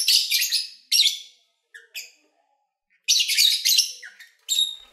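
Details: Two bursts of shrill, rasping chatter from pet lovebirds, separated by a quiet spell with a few brief chirps, recorded in February while the birds fed and played.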